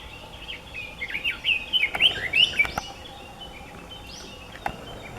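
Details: Red-billed leiothrix singing on Mount Ikoma, Nukata park area, Japan, 6 May 2014: a quick run of warbled, slurred whistles around two to three seconds in, with faint distant chirps before and after.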